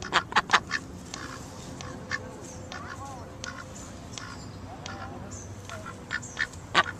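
Harsh, nasal goose honks: a quick run of four at the start, then scattered single calls and softer chattering over about seven seconds.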